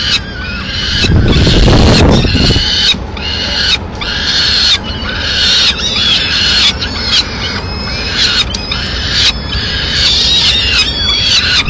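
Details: Peregrine falcon female bringing pigeon leftovers, Madrid, late April 2016; a loud low rumbling burst early on, then repeated high, strained wailing notes with wavering harmonics, cut by short pauses, over constant noise.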